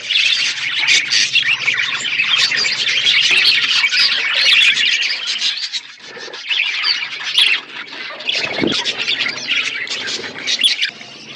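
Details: Many budgerigars chirp together in an aviary set in a forest environment: steady, high, buzzy warbling and squeaky notes run without pause, softening slightly toward the end.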